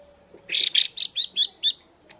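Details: Female Chinese hwamei giving a chùi call to stimulate males: a burst of about six short, sharp, high chirps in quick succession over roughly a second, with a faint steady high hiss behind.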